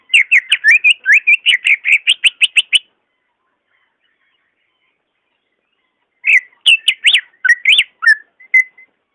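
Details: Caged greater green leafbird song used to coax a reluctant bird into singing: a rapid run of sharp whistled notes for about three seconds, a long silence, then a second burst of varied, slurred whistles.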